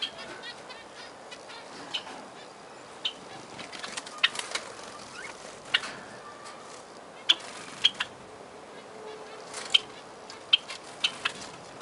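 Zebra finches give brief, high, nasal beeps at irregular intervals, set against soft clicks, rustling and wing flutters.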